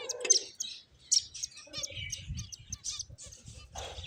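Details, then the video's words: Finches chirping while playing: short high bright chirps and tweets scattered through four seconds, with a few lower buzzy notes and faint low rustling underneath. "Beautiful Finches Chirping Sounds"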